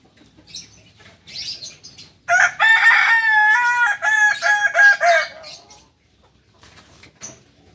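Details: Native Solok chicken of the Kukuak balenggek breed from West Sumatra, special class; softer rustles lead into a three-second crow broken into rapid stepped segments, then quiet with faint clicks.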